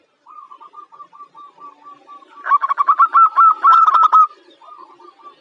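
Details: Young local zebra dove, described as bold and ready for contests. Soft repeated notes near the same pitch lead into a louder, rapid run of throaty staccato notes, then soft notes return.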